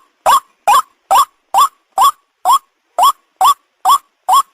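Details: White-breasted waterhen call used as a lure for catching birds: harsh, nasal croaking notes that bend upward, repeated about twice a second in a steady series of ten, with silence between notes.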